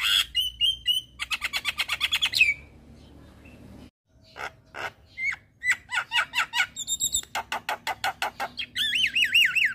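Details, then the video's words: Javan myna singing with a rich, varied repertoire meant to provoke other mynas; a rapid ticking rattle, a brief silence, then quick repeated notes ending in wavering, warbled whistles. "Jalak Kebo Gacor Full Isian Bikin Heboh Semua Jalak Yang Dengar"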